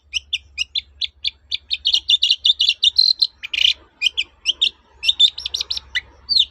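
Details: Long-tailed shrike singing steadily to lure quiet shrikes back into song: a long series of short, high, evenly spaced chips that speed into a busy warbling jumble, broken by one harsh rasp, then more rapid twittering.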